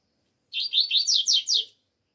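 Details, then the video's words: Double-collared seedeater song on a cold day: seven bright, buzzy, descending slurred notes delivered evenly over just over a second, with a quiet background. "COLEIRO ALEGRIA 🇧🇷 frio ainda ainda..."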